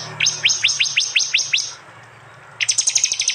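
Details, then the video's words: Loud 'tembakan' prinia song from East Java, recorded on an Android phone: a run of about eight sharp, high, downward-slurred notes, a quiet gap, then a faster, denser burst of chirps. "Tembakan prenjak jali keras"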